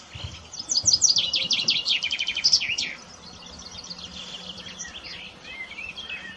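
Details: Chaffinch singing a fast, rattling series of high notes that drops in pitch across roughly two seconds and closes with a brief flourish; faint chirps from other birds continue afterwards.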